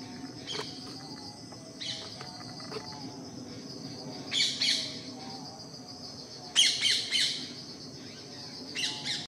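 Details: Blue-capped rock thrush perched on a rock in Jabalpur, India, giving harsh, scratchy high calls in short bursts, some doubled or tripled, spaced irregularly every one to two seconds over a low background hum.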